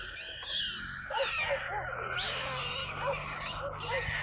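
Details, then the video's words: Young storks on their nest in Kaluga Oblast, Russia, 28 July, during a water delivery: a wheezing, mewing chorus of many chicks with small looping notes repeated every half second or so, over a faint low drone. "Доставка воды аистятам"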